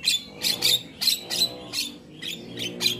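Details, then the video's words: Black-winged myna song from a morning training recording for caged mynas: rhythmic bursts of harsh, screechy broadband notes repeated roughly every half second, with short pauses between them. "Masteran Burung Jalak Kebo Wajib Putar Setiap Pagi Bikin Jalak Cepat gacor"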